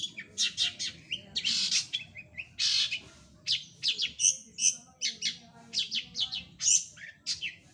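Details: Energetic long-tailed shrike song of dense, scratchy high chirps and squawky bursts in quick succession, some notes clipped and whistled, with brief pauses between phrases over a soft low background hum.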